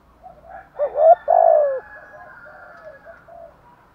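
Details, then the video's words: Spotted dove giving thúc gù and gáy gọi calls: a short cluster of quick low notes runs into one long, loud, slightly falling coo, then fainter soft cooing continues. "chim cu gáy Thúc Gù = Gáy Gọi bài vở"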